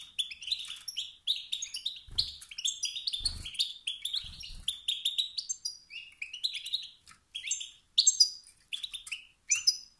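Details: European goldfinch male producing stimulating calls to make other males sing and assert dominance; continuous, lively twittering with rising chirps, a few low knocks early on.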